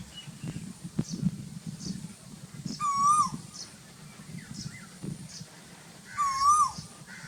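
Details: Asian koel in the very hot season giving two rising-then-falling whistles about three seconds apart, with faint chirps from other birds and low background noise.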